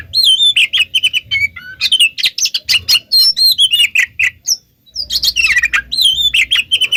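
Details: Song of an oriental magpie-robin used to lure other magpie-robins to answer: quick, high sweet whistles interleaved with dry ticking chips, a brief lull, then another energetic burst over faint low rumble.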